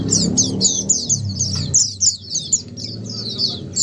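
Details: Oriental white-eye (pleci), ombyokan style, sung clearly to make other pleci answer and sing more often; quick high twittering notes about four per second over a steady low droning background hum.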